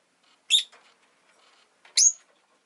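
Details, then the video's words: Pet rosy-faced lovebird that has laid an egg: two separate sharp, squeaky chirps about one and a half seconds apart, the second with a thin whistled edge, with faint background rustle. "Lovebird Chirping Sounds"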